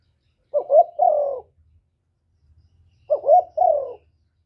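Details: Spotted dove cooing, a 'cu gù' call used as a lure for trapping and to excite caged birds: two low phrases, each a short wavering note followed by a longer, slightly falling hoot, about two and a half seconds apart.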